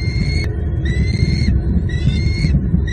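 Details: Bald eagles at their southwest Florida nest during a fish feeding of two eaglets, February 2022; three drawn-out thin whistled squeals, each level then dropping slightly, over heavy low wind noise.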